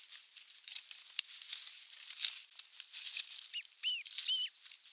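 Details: Osprey at the nest during an evening feeding on 30 June 2022, recorded by a nest camera: dense clicking and tearing sounds, then about four clear, arched, whistled chirps repeated in quick succession near the end.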